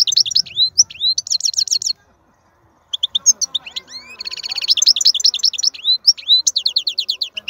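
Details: European goldfinch, a wild bird noted for its outstanding strong song, giving rapid bright trills, a brief pause, then a long sequence of high twittering and buzzy repeated notes.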